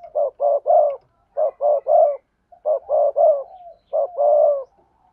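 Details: Spotted dove recording combining sa thúc, gù and gáy styles, used to lure and provoke wild doves. Low coos come in rapid groups of two or three, with four bursts in five seconds and short gaps between them.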